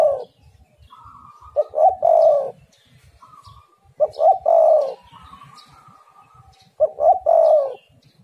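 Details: Spotted dove song played as a lure to make other doves call: three deep, throaty coo phrases about every 2.7 seconds, each short-short-long. Faint higher whistled notes between them over soft low rumble.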